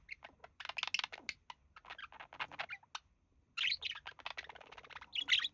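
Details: Male budgerigar, resting with its mate, mimicking human speech: fast scratchy chatter and clicks, a short pause, then a louder run of squeaky whistled notes.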